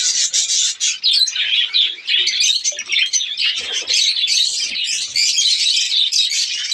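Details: Loud, unbroken twittering from many budgerigars in a breeding colony during the breeding season: high warbled phrases, squeaks and chirps blend into a dense chorus.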